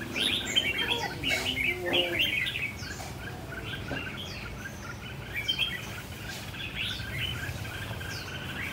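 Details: Red-whiskered bulbul kept in a tall square cage, performing rồ ché singing: quick chirpy whistled notes in rapid sequences over steady background hiss, with a few other faint bird chirps.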